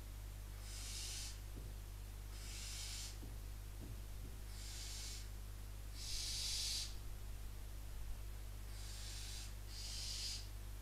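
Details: Barn owl chicks at a nest near the Casa Palillos visitor centre, Cabañeros National Park, Spain, calling from a distance in the middle of the night while a genet approaches the nest. Harsh hissing bursts repeat roughly every one to two seconds over a low steady hum.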